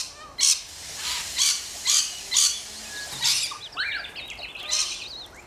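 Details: Rainbow lorikeets in Australia: loud, rasping screeches repeated roughly every half second, then a tumble of higher squeaky chatter.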